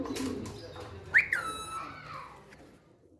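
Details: Indoor pet parrot, a talker in Urdu and Hindi, gives one sharp rising whistle that glides into a long, gently wavering note fading over about a second.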